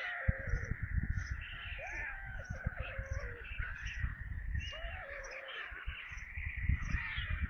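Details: White storks feeding at their nest in Kaluga region, Russia, on a July 2022 evening. A steady chorus of high, wheezy, wavering wails, with short falling notes on top. A soft continuous low thumping lies beneath.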